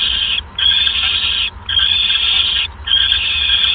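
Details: Owl at night on 28 January 2015 as the male hands a mouse to his mate. Three drawn-out, rasping, hiss-like screeches are separated by short gaps.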